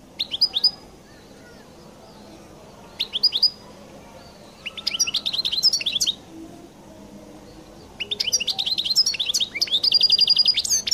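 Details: European goldfinch singing its distinctive song in separate bursts of quick, high, tinkling chirps, with short silent pauses between phrases and a longer, fuller twittering run at the end.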